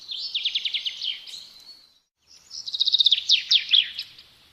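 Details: Sparrow chirping in two bursts: first a rapid, evenly spaced string of high chirps, then a short silence, and a second, louder trill of quick notes ending in a few sharp descending chirps.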